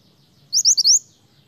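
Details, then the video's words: Brief snowy-browed flycatcher phrase used to lure other birds: four rapid, very high, thin whistled notes slurring upward in under half a second, over faint low background hum. "suara mantenan gacor untuk pancingan mantenan bahan"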